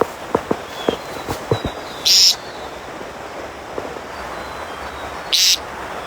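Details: An American Woodcock (timberdoodle) in open grassland habitat, a sound carrying a long way, gives two short, nasal, buzzy peents about three seconds apart, with a few soft knocks and rustles between.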